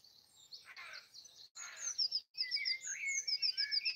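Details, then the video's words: Birds in trees at a house in Broadford, Kildare, Ireland, singing early on Easter Sunday morning 2020; short buzzy chirps, then a bright rapid series of repeated high notes over a sustained whistle. "Birdsong, Easter Sunday, Broadford, Kildare, Ireland"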